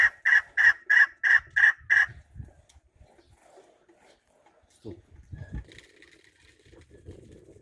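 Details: Chukar partridge with six loud, evenly spaced chuk calls in the first two seconds, then quiet with faint low thumps and handling noise.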